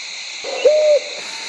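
A mottled wood owl gives a single mellow, steady hoot lasting about a third of a second, over a constant high hiss of insects or background noise.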